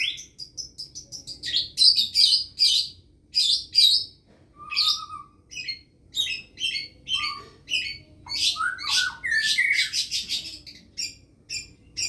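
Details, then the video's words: Long-tailed shrike imitating a lovebird. Rapid high chirps and ticking notes come in dense bursts, broken by a few short mid-pitched whistles and a brief falling slur. "pentet isian lovebird"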